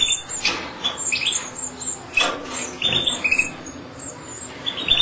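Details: European goldfinch chicks being hand-fed in captivity: very high, thin repeated squeaks and short chirps, several per second, with intermittent clicking and rustling handling noises.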